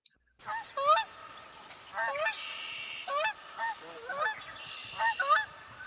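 Canada Geese give loud, nasal two-part honks, several in quick irregular succession, with a buzzy trill of a Red-winged Blackbird in the background.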